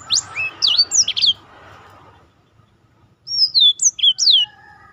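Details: Black-throated canary song, used as a master for training other birds. Two short bursts of high, sharply sweeping whistled notes are separated by about a second of near silence. Faint lower tones sound near the end.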